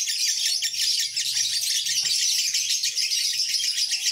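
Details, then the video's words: Lovebird delivering a long ngekek song: a dense, continuous, rapid chattering trill held without a break for the whole stretch, with a low steady hum underneath. "Lovebird Ini Ngekek Panjang"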